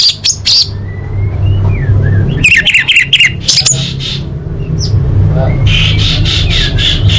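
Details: Female orange-headed thrush calling males, used as a lure to get quiet birds singing: loud bursts of sharp, harsh whistled notes in the middle, with thin faint whistles before and after over a steady low hum.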